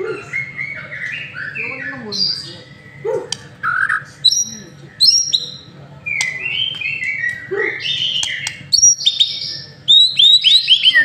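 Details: White-rumped shama lure song: a continuous, varied stream of loud whistles, rapid slurred notes, trills and sharp chips, phrases changing every second or two, with a faint low hum beneath.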